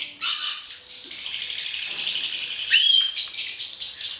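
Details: Hand-reared male black-headed caique uttering a sustained, buzzy high screech with a quick rising squeal near the end, followed by more grating shrill notes.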